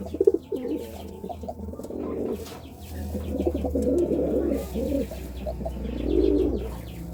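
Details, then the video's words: Continuous low, bubbling coos from a courting pigeon, rising and falling in long phrases with a louder swell near the end, over a steady low hum. "Suara Burung Merpati merayu"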